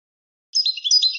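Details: European goldfinch song used to teach young goldfinches and hybrids: a brief, rapid liquid twitter of high warbled notes beginning after half a second of silence.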